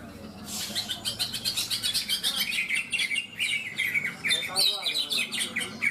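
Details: Contest class of caged greater green leafbirds in Malinau, North Kalimantan, Indonesia, singing together: rapid repeated chattering notes and bright descending whistled phrases, nearly continuous, with a low murmur of people in the background.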